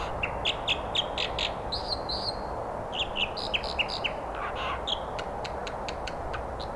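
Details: American dipper along the Britannia Slough in Dentville, Squamish: a lively run of varied high chirps, trills and sliding whistles, some repeated in quick pairs, over a steady rushing of water.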